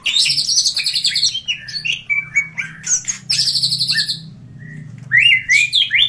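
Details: Greater green leafbird singing: a high rapid buzzy trill, a run of mixed whistles and chirps, another long trill, then rising slurred whistles at the end.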